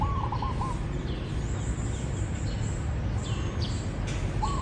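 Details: Zebra dove, with a quick rippling coo at the start and another just beginning at the end. Faint high chirps of other birds sound in between over constant background noise outdoors.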